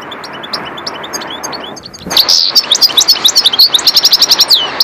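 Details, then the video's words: European goldfinch song: after a quiet start, a loud burst of liquid twittering and fast repeated metallic notes, about four per second, with buzzy slurred phrases mixed in. "Zenda chardonneret parva"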